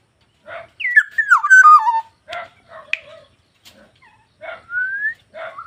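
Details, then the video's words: Black-naped oriole in full song, giving a liquid whistled phrase that drops in steps, followed by scattered harsh nasal rasps and a smooth rising whistle near the end, in quiet surroundings. "BURUNG PODANG GACOR"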